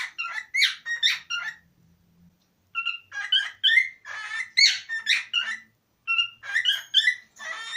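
A cockatiel sings in bursts of bright whistled phrases mixed with chattering warbles.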